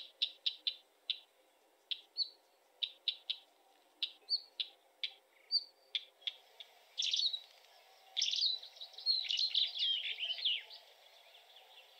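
A Northern wheatear gives a run of hard, clicking notes at about four per second, then breaks into a brief, scratchy, crackling warble.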